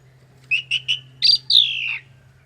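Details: Semi-mature male Javan pied myna, a local competition-trained songbird, gives three short rising chirps followed by a shrill, loud whistle sliding downward, over a faint steady low hum.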